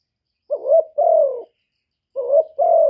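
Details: Two gáy gù phrases from a decoy spotted dove, each a wavering upslurred note and a longer mellow coo trailing downward, separated by a silent pause.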